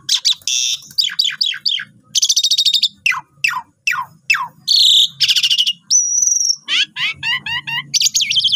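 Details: Training song of an Asian pied starling, a constant long-voiced singer, for new birds. Harsh bursts and quick descending chips lead to a pure high whistle and a rapid wavy trill, with faint low background hum.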